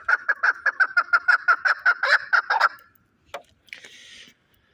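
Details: Fighting chukar partridge from Shahritus giving a rapid run of about fifteen clucking notes, steady and evenly pitched, ending abruptly, followed by a brief click and a soft hiss.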